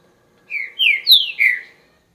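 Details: Green-winged saltator song: four clear whistled phrases, each slurring downward, the third pitched highest, delivered in about one and a quarter seconds over a quiet background.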